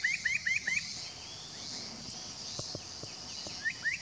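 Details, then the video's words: Spot-breasted Parrotbill at Doi Lang, Fang, Thailand, 25 March 2017, giving quick upslurred chips, four in fast succession, then a pause and two more, over a steady hiss of insects. "Spot-breasted Parrotbill"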